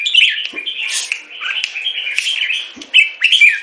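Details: Short burst from a caged, molting Red-whiskered bulbul raised in Singapore: continuous gritty chatter with slurred whistles, ending in a few bright rising and falling whistled notes.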